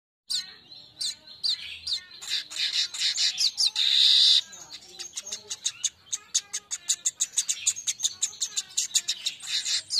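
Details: Streaked weaver song used as a lure to get birds singing: dense run of sharp high chips and ticks with a loud hissing, sizzling buzz near the middle, then rapid chattering notes continuing to the end.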